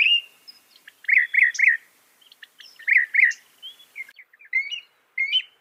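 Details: Northern mockingbird, known here for copying about 200 sounds, gives a high whistled note, then quick triplets of rich chirps, twice, followed by thin twittering and sharp upslurred notes in a varied, stop-start sequence.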